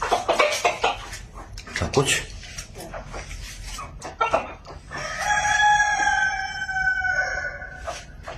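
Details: Chicken in a village: a burst of rapid sharp clucks, then a sustained ringing crow lasting around three seconds, with more clucks scattered at the end.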